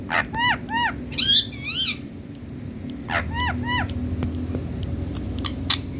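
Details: Indian talking parrot with natural green plumage, opening with paired arched squawks and a rapid stacked whistled flourish. After a pause comes another trio of curved notes, then faint clicks against a low rumbling background.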